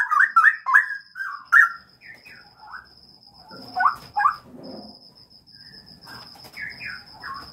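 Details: Bursts of bubbling, slurred whistles from a Straw-headed bulbul kept in a breeding aviary, coming in short loud groups separated by quieter gaps, while a thin continuous high whine runs throughout.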